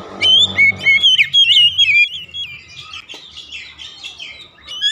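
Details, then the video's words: Song of an oriental magpie-robin played as a lure to make kept birds sing: a loud, fluty phrase of sweeping whistles over a low hum, then softer, rambling warbles. "terapi pancingan Kacer tanpa mengenal waktu | Kacer rumahan pasti gacor"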